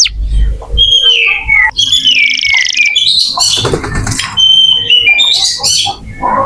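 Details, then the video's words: Canary singing in a varied, loud phrase of whistled sweeps and rapid trills, used to prompt young or silent canaries to sing; a faint low thud sounds at the start. "Kenari gacor untuk pancingan kenari muda atau macet bunyi"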